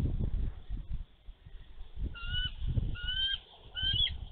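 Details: Nesting mother bald eagle in Minnesota, snowy day in March 2023, warding off a young eagle near her egg: after wind gusts, three high, thin whistles, each longer and slightly rising, spaced under a second apart.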